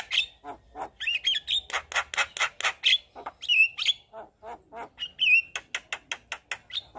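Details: Buffalo myna of the white-eyed form delivering a busy song of dense harsh chatters mixed with sliding whistled notes, almost continuous throughout.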